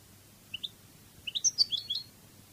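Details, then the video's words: Goldfinch in the Cadiz song style: two soft rising chirps, a pause, then a quick tumble of higher tinkling notes lasting under a second. "CD CANTO DE JILGUERO CADIZ شريط لغة الحسون الإسباني قادس"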